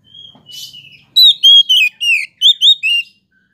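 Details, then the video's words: Oriental magpie-robin singing to provoke rival birds: a thin drawn whistle and soft chatter, then a quick series of about seven loud clear whistled notes, each sliding up or down. "KACER POCI ANDA PASTI LANGSUNG EMOSI JIKA DENGAR SUARA KACER INI"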